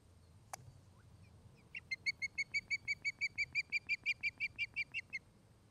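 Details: Osprey couple's nest in Charlo, Montana, filmed by nest cam on the afternoon of August 29, 2018: a sharp click, then about seventeen clear whistled chirps in a steady, evenly spaced series lasting roughly three and a half seconds.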